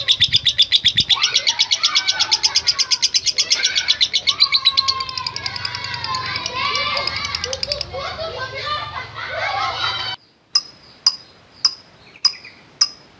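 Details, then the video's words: Lovebird chattering to provoke other lovebirds: a fast buzzy trill at first, then a jumble of overlapping chirps and squeaks, ending after a brief silence with sharp, evenly spaced clicks about every half second. "Love Bird NGETIK Latah Gacor Ngekek Panjang | AMPUH Pancingan Love Bird Figter"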